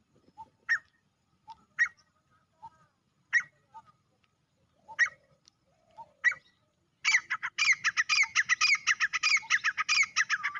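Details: Male grey francolin (teetar) calling: sharp, harsh squawking notes spaced about a second and a half apart, then a dense, rapid run of loud, grating chattering notes filling the last few seconds, with no other sounds.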